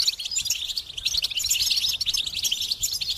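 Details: Goldfinch song, an unbroken stream of bright, rapid chirping notes with small trills, delivered fast and steadily at a high pitch.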